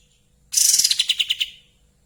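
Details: Kapas tembak in breeding condition, tail spread, giving a fast, bright, high-pitched trill of about a dozen pulsed notes that descend and fade within roughly one second.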